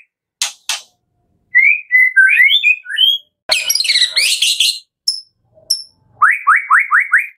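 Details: White-rumped shama of the Medan type in fill-in song: harsh rasps, a few whistled slurs, a dense chattering burst, then five rapid repeated upslurred whistles.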